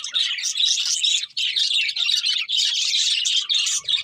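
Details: Happy budgerigars feeding and singing together: busy, unbroken warbling chatter of high chirps and trills from many birds, with a short pause around the middle.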